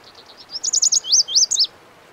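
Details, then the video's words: Lazuli bunting (Passerina amoena) singing: soft opening ticks lead into paired, wavering high notes, then two rising-falling swoops and a final sharp downslur, all within under two seconds. "The Melodic Song of the Lazuli Bunting"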